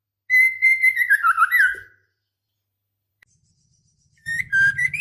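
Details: Female white-rumped shama in breeding condition calling to the male: a sustained whistled phrase near a steady pitch, wavering and dipping toward its end, then a brief silence before a second whistled phrase begins.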